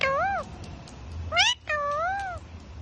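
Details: Pet parrot on a rainy day giving three loud harmonic calls, a bending whine, a quick rising note and a long wavering meow-like cry, over low steady background rumble.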